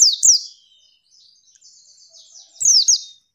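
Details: Female white-eye (pleci) calling to provoke rival males into singing quickly: two bursts of sharp, high, downward-sweeping chirps about two and a half seconds apart, with faint soft twittering between them.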